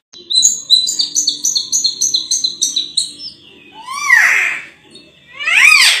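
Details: Sulawesi myna (raja perling) song: a rapid series of about ten bright, paired whistled notes, then two harsh, rasping, arched sweeps.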